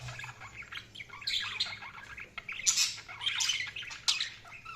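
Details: Budgerigars chirping: soft, busy warbled chatter of short squeaky and scratchy notes, with several louder bright squawks and chirps in irregular bursts over a low background hum.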